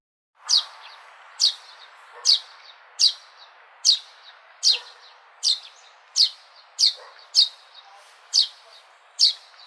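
A sparrow gives sharp, high chirps, one every second or so, at an uneven pace, over a soft hiss of background noise.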